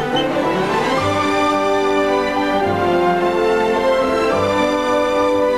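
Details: Orchestral music with sustained string tones and steady harmonies throughout, with no animal sound heard.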